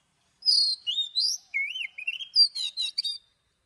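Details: Oriental magpie-robin singing its morning song in the long-note forest-voice style, kept for song training: a rich run of high whistled slurs and rising-falling notes that ends in rapid, stuttering buzzy trills, with no other sounds.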